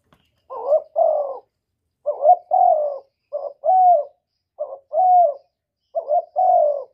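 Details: Spotted dove delivering 'gọi một hậu ròng' coos: each phrase has a brief stuttered opening note and a fuller, bending coo. Five phrases come at a slightly uneven pace in a quiet setting.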